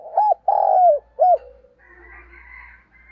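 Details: A spotted dove gives a spurring, fighting-style cooing call: three soft, hollow coos in a short-long-short pattern, followed by faint, high chirping from small birds.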